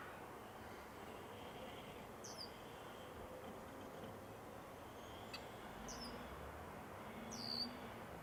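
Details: Three brief, high, down-slurred call notes from a Red-winged Blackbird at a marsh early on a breeding-season morning, spaced a few seconds apart over a steady rush of wind and marsh noise.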